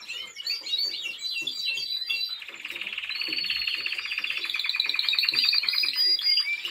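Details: Timbrado Español canary in training sings choppy, sharply inflected notes, then switches to a long, fast, even rattling trill that swells steadily louder toward the end.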